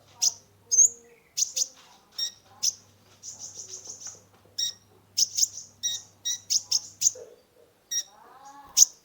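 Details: Singing brown-throated sunbird (kolibri ninja) with varied notes, used to lure and calm stressed caged birds: spaced high, sharp chirps, a quick run of repeated buzzy notes midway, and a few softer warbles.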